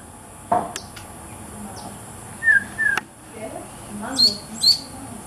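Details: Chiguanco thrush at Villa los Aromos, Córdoba, Argentina, December 2014, gives a few short thin call notes: a low chip, sharp descending squeaks and two high clipped ticks, spaced irregularly against a quiet background.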